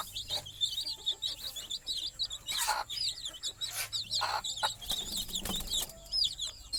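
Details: At night, chicks around a roosting mother hen give quieter, busy high peeps, overlapping with rustling and scattered noise bursts as they try to settle.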